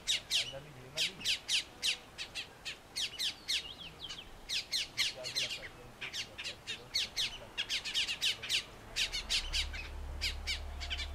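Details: Colombian mountain grackle, an endemic of Colombia's eastern Andes oak forests, locally called "Cocha" at Soatá; a flock gives harsh, sharp squawking calls in rapid irregular bursts, many birds overlapping, with low rumble near the end.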